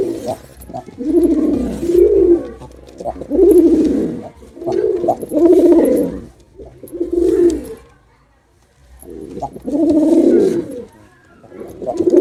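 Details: Male pigeon performing, repeating low rumbling coos roughly every one and a half seconds, with one longer silent break before resuming.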